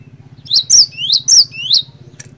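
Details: Cinereous tit (glatik batu) singing vigorously, used as a lure to get other tits singing: clear whistled two-part phrases, a rising sweep then a higher falling note, repeated three times over a steady low pulsing hum.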